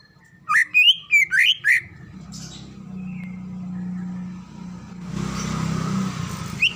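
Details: A female greater green leafbird in breeding condition calls for a male. A quick string of five loud rising whistles opens, then low steady hum and a hiss of background noise, with one last whistle at the end.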